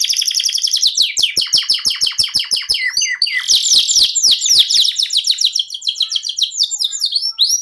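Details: Canary pouring out a rapid 'ngerol sejalur' song of dense high trills and rolling chirps, more than three notes per second, with a loud burst of sweeping notes midway.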